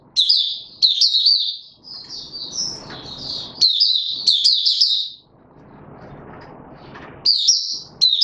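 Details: Open singing by a male white-eye (mata puteh), recorded 31 December 2021 as he is pushed toward form: energetic high twittering strophes, then a pause with soft low noise before song resumes.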